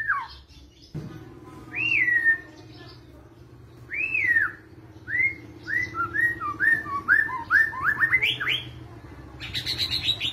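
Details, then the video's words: White-rumped shama singing vigorously in kretetan style, used for provoking other birds: clear arched whistles spaced two seconds apart, then a quickening run of short rising whistled notes and a final high buzzy burst. "masteran pancingan kretetan burung murai batu gacor"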